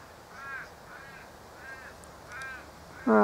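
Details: Australian ravens calling in the background while honeyeaters squabble over sugar syrup in a native cypress tree; four drawn-out, arching, harmonic caws come roughly every 0.6 seconds before a loud human voice cuts in at the end.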